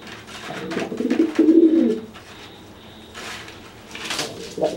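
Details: Dry pigeon threatening a wet, grounded pigeon after its bath; one drawn-out low coo building in the first two seconds, then scuffling noises and a short coo onset at the end.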